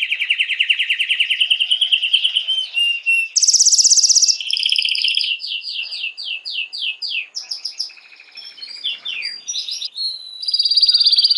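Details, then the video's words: Canary song used to arouse hens for breeding. Varied tours: a fast rolling trill, a bright high buzzy block, a series of falling slurs, then mixed chattering and a final high sustained trill. "تغريد كناري"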